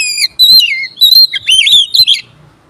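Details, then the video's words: Oriental magpie-robin singing as a lure to rouse rival magpie-robins: loud, rich whistled phrases that slide up and down, several varied warbles in quick succession before fading out. "pancingan burung Kacer ini bisa bikin konslet dan mendobrak emosi Kacer"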